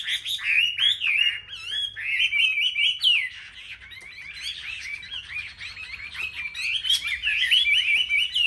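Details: Chinese hwamei, a selected caged bird in competitive singing at a market aviary, Vietnam: loud, rich warbled song of rapid slurred whistles and trills, continuous and varied, with other birds audible behind.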